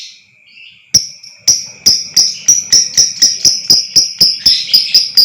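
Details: Lovebird sound used to provoke another lovebird into long trilling (ngekek): after a soft opening, sharp high chirps begin and speed up into a fast run of about four per second over a steady high whine.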